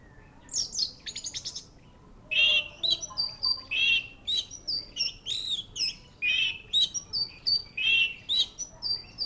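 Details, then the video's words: Orange-headed thrush in loud, busy song. It opens with a quick rattle-like series, then gives rich warbled phrases mixed with sharp high whistles, repeated in close succession. "Anis merah"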